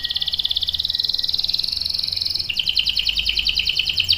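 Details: Canary long roll, meant as a lure for young birds: a continuous fast, even trill for over two seconds, then a coarser, lower, throbbing roll over faint background hiss.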